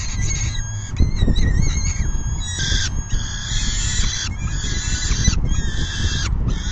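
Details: Afternoon feeding at a peregrine falcon nest, June 10, 2022; thin, strained wails and rasping notes alternate irregularly, some long and level, over a constant low rumbling background.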